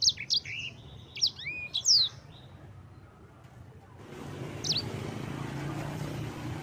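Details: Yellow-fronted canary singing energetically, used as a tutor recording: a few sharp, high chirps and slurred notes over about two seconds, then a pause and one more chirp over a soft background hiss.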